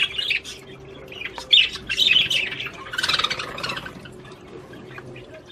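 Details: Australian budgerigars singing to stimulate mating: harsh squawks and a burst of rapid buzzy chatter, then softer scattered chirps, over a faint low hum.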